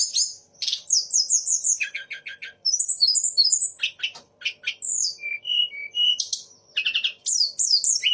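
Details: Sunda laughingthrush singing a varied song that mimics three other birds: magpie-robin, shama and orange-headed thrush. Quick rising whistles, rattling trills and chirps change every second or so, with short pauses and faint background hum.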